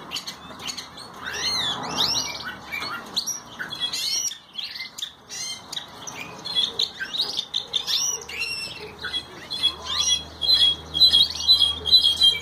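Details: Ocellated thrasher singing: a long, steady run of varied, slurred and whistled phrases, rising and falling notes mixed with sharp chips, delivered rapidly and without pause, with a low background hum.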